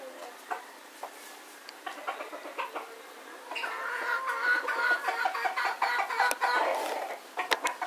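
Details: Rooster near a cockfight in Puerto Rico in winter, one of two roosters yelling at each other; a drawn-out harmonic crow rises from the middle of the clip over scattered clicks and background chatter.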